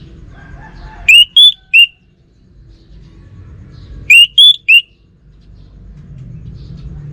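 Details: Orange-headed thrush singing nonstop: two bursts of three bright whistled notes, the middle one highest, about three seconds apart, with a faint low rumble between phrases.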